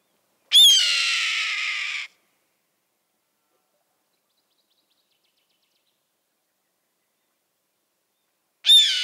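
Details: A red-tailed hawk (Buteo jamaicensis) gives its fierce, long, hoarse, descending scream of about a second and a half, with the start of a second scream at the end; nothing else is heard.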